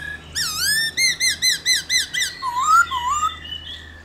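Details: A black-throated laughingthrush sings in the 'réo' style to spur other birds to sing: six quick, rich, rising-and-falling whistled notes, then a lower sliding, warbled phrase fading out.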